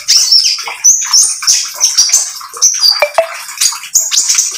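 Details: Oriental magpie-robin lure song: loud, sharp high notes and quick whistled phrases with a few lower squeaky chips. The notes tumble out in short, jerky bursts.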